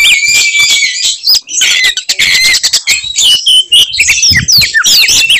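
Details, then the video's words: Oriental magpie-robin in full, fighting song with typical shot-like bursts said to provoke other magpie-robins into rage: loud, fast, varied mix of clear whistles, rising and falling slurs and harsh rasping notes, tightly packed for over five seconds. "kacer gacor tarung bongkar materi tembakan khas bikin kacer lain NGAMUK dan EMOSI"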